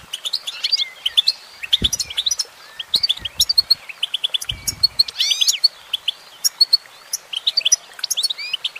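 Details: Female goldfinch delivering lively song: rapid chirps, trilled runs and a flourish of rising, swooping notes midway, with occasional soft low bumps in the background.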